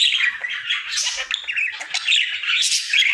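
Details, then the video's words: Happy singing pet budgie, a male, in his daily routine: a short, unbroken stream of squeaky chirps, clicks and buzzy chatter, bright and high, without pauses. "Budgie singing for 1 Hour Happy song!"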